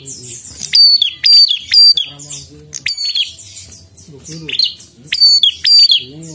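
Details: Prinia song in quick succession: loud, high chirp-and-slur phrases, roughly two per second, broken by a short pause, over soft lower wavering background tones.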